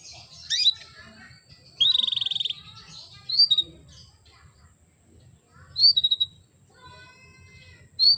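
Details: Female canary calling to stir males: a series of sharp upswept chirps and one buzzy rapid trill, repeated irregularly every two to three seconds, with faint softer bird twitters and low hum.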